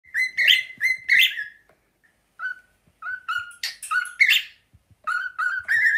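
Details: Two pet cockatiels whistle the learned pop tune "Another One Bites The Dust" together in clear, mid-pitched notes: a quick run of phrases, a pause, then bouncy repeated whistles rising at the end; one runs around excitedly.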